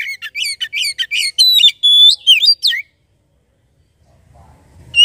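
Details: Oriental magpie-robin song, intended to make magpie-robins sing: nearly three seconds of rapid, clear whistles, some sustained and flat, others swooping down, before a quiet stretch with faint low murmur.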